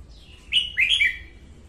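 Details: A female red-whiskered bulbul sings at dawn, played to train birds and to lure them to traps: a soft lead-in, then a lively phrase of three rolling, whistled notes stepping downward.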